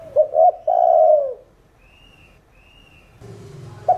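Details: Spotted dove (cu đất), Thổ Đồng-style calling coo: quick short notes run into a long falling coo, followed by silence with a thin high whistle twice, then a low droning sound and the start of another coo.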